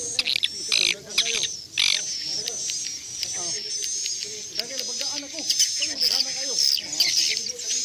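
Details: Recording broadcast to attract swiftlets into a bird house: continuous shrill twittering and fast high chirps over a steady thin whistle, with lower buzzy chattering phrases repeating throughout.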